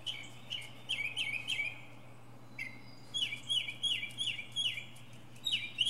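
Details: Northern mockingbird singing from the top of a pine tree, a run of repeated slurred chirps dropping from high to mid pitch, several phrases per second, with a pause and then a fresh series of the same notes; steady low hum behind.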